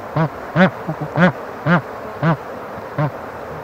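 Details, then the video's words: Bar-headed Goose calling in a loose series of about seven short, resonant nasal honks, roughly one per half second, the rhythm somewhat irregular, with a soft grunt between the louder notes. "斑頭雁/Bar-headed Goose"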